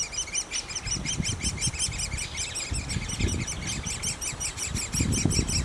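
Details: Great spotted woodpeckers at their nest: a fast, high, squeaky chatter of short repeated notes runs throughout, over low thuds and rustling handling noise.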